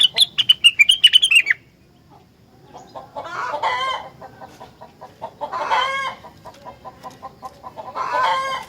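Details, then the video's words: Rengganis song said to make other rengganis respond: a rapid cascade of high whistled notes, a brief silence, then steady ticking chatter broken by three louder, rasping bursts. "Burung Rengganis Lain Ikut Gacor Jika Dengar Suara Rengganis Super Gacor Ini"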